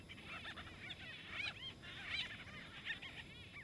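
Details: White-fronted bee-eaters fighting over nesting space in Kruger National Park, South Africa: several birds overlap in an excited chatter of quick, rolling, chirpy calls over a steady background hiss.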